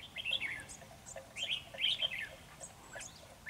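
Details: Red-whiskered bulbul of Ché style, singing at a trap to overpower the decoy: a dense run of bubbly, chattering warbles and squeaky whistles.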